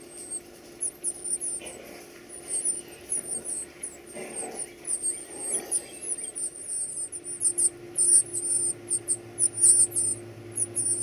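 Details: Young birds being fed beg with a rising flurry of piercing high squeaks that grows denser and louder toward the end, mixed with soft rustling and a low hum.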